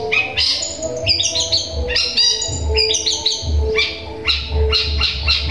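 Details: Long-tailed shrike singing sparrow-style mimicry with natural sounds, meant to provoke other shrikes: clustered high chattering notes and short rattles in irregular bursts, low background rumble throughout.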